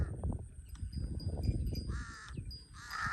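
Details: Two short, harsh caws from a large-billed crow in Cambodia arrive near the end, after a stretch of low rumbling noise and faint thin tones.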